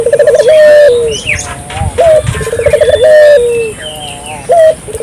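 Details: Barbary dove (burung puter), gacor calling used to provoke local doves: two full phrases of fast throbbing trill followed by a drawn-out steady coo and brief upslurred note, with light bird twitters in the background.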